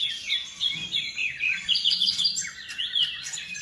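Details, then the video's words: Nightingale kept in Indonesian bird-keeping circles as a song tutor, delivering a dense, warbled phrase of fast rising and falling whistles and trills, with steady low background hum throughout. "Nightingale song FULL gacor"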